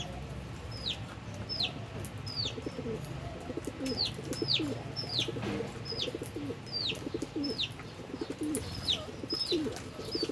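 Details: Albino and Fischer's lovebirds eating and playing; sharp descending chirps repeat about every 0.7 seconds, over a steady layer of low cooing and soft background hum.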